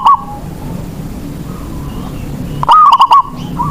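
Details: Zebra dove, a local Indonesian bird kept as a lure to get other doves singing; one loud stuttering cooing phrase of rapid pulsed notes near the end, with faint distant cooing earlier.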